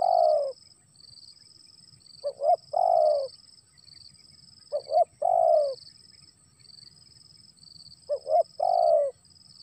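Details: Spotted dove cooing as rain starts to fall. A phrase of a short double note and a long falling coo repeats roughly every three seconds. Continuous high-pitched insect trilling fills the background.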